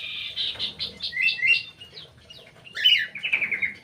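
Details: Crewet kept in an aviary, singing a varied run of chirpy warbled notes around mid-high pitch, with a brief pause then a louder burst of rapid descending twitters.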